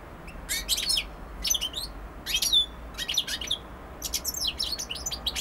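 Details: European goldfinch song in short, tinkling, rapid bursts of twittered and slurred notes, each phrase about half a second, repeated steadily with small gaps; low hum in the background.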